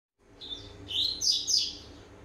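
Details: A year-and-a-half-old Double-collared seedeater warming up with a few high, buzzy, twittering notes in short bursts, rising in strength toward the end, over a faint low hum.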